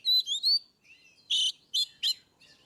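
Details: Oriental magpie-robin singing in ngeplong style, a recording meant to prompt quiet birds into song: a rising whistled slur, then three loud harsh buzzy bursts spaced about a quarter second apart.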